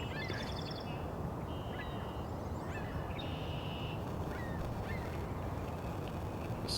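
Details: Wood duck squealing in Angrignon Park, Montreal, on April 18: thin, high notes, a few drawn-out rising and level whistles spaced over several seconds, under a heavy low rumble of background noise.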